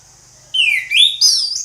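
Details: Orange-headed thrush singing in ngeplong style: a clear whistled note sliding from about mid pitch upward, then two further high, slurred whistled phrases in quick succession over a quiet background.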